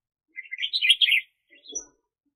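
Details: Red-whiskered bulbul serving as a trapping decoy, 2021 season: one tumbling, chirpy warbled phrase, followed by a faint short note and a low soft rustle.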